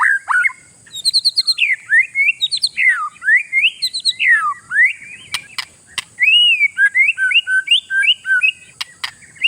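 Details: Oriental magpie-robin, a territorial songbird, singing to provoke rivals: rapid chattering bursts, then looping whistled phrases that rise and fall, with occasional clicks.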